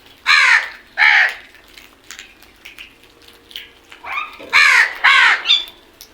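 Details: Crows in a group giving loud, raspy caws: two spaced calls at the start, softer notes in the middle, then three quick caws in a row near the end.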